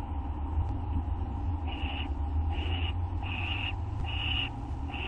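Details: Owls at night on a live camera, 6 August 2011 near 11:28 PM, during feeding time as an adult delivers food and others help themselves; short harsh screechy bursts repeat about every 0.8 seconds over a steady low electrical hum.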